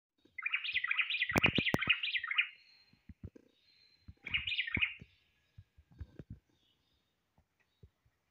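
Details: Common blackbird (Turdus merula) gives two bursts of warbled, twittering song, each one to two seconds long, with sharp knocks and handling clicks around them.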